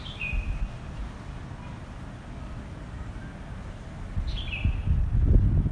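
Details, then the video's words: Birds in their nest in a rambutan tree in Bandung, Indonesia, chirping and tending young on an afternoon, 18 March 2024; two short, high, downward-sliding whistled chirps, one at the start and one near the end, over a steady low rumble. "Sounds of Birds Chirping in Their Nest | Suara Burung Berkicau di Sarang"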